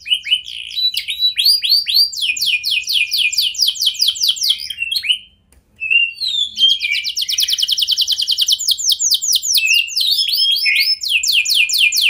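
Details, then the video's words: Singing canary serving as a lure so other canaries respond: varied trills and fast descending whistled notes, a brief silence around five seconds, then a dense, rapid run of repeated sweeping notes. "Kenari Lain Langsung Respon Dengan Pancingan Kenari Gacor"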